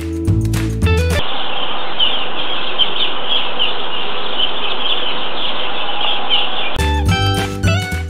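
Square-tailed bulbul giving squeaky, nasal chattering notes, repeated rapidly over a hissy background, with music at the start and end.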